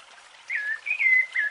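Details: Brief burst of rufous-bellied thrush song in the Piedade style: three clear whistled notes, the first falling, the middle level and bright, the last dipping, over faint background hiss.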